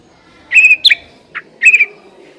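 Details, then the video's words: White-rumped shama lure song to coax a shama into singing: two bright wavering whistles separated by a short harsh note and a soft chip. "Pancingan suara burung murai batu agar cepat bunyi dan ngeplong"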